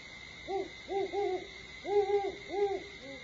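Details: Great horned owl at Starr Ranch, 21 September 2011 at 4:30 AM, giving a run of deep, soft hoots in a stuttering rhythm, about six notes in three seconds, over a steady high-pitched insect-like whine.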